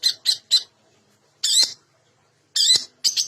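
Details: Long-tailed shrike lure song meant to prompt reluctant birds into song: three quick harsh notes, a pause, then longer rasping squawks separated by short silences.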